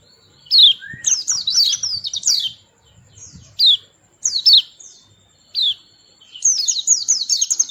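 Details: Playful small white-eye with a melodious voice gives scattered high, downslurred chirps and short twittering runs, ending in a fast, high trill-like burst.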